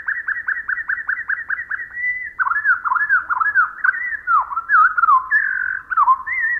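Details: Pacific wren song slowed to quarter speed: about eight quick falling whistles, then a run of varied warbled, sliding notes, each clearly separate.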